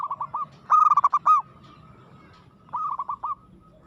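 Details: Zebra dove (perkutut) in aggressive singing form: three phrases of bubbling, evenly pitched cooing notes, the middle phrase loudest. Each run closes with a curled note, with brief quiet gaps between.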